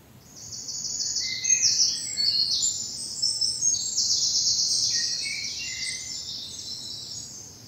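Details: Dappled spring morning in bluebell woods of southern England with birds in full song; long, rapid high trills running into each other, with brief lower twittering notes mixed in.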